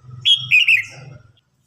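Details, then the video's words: A single red-whiskered bulbul phrase from a contest where an older bird challenges a young newly caught one. Clear, loud whistled notes slur up and down in a quick warble, over a low steady hum. "Chào mào hót đấu.Rừng già chinh phạt bổi non.bổi non ức chế lên lửa"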